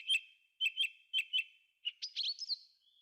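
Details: Thrush singing in a forest: pairs of sharp repeated chirps, then a tumbling, higher warbled flourish that ends in a thin drawn-out whistle.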